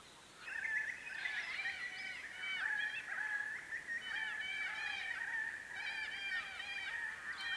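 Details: Grey shrike-thrush of subspecies harmonica, foraging on winter solstice day 2021 in open forest and woodland of the Capertee Valley, New South Wales: rich, fluid whistled phrases, looping and slurred, flowing continuously at moderate distance over a quiet background.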